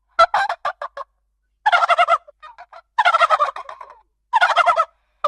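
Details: Domestic turkey gobbling repeatedly: rapid rattling bursts about half a second long alternate with quick clipped clucks and a soft trailing chatter.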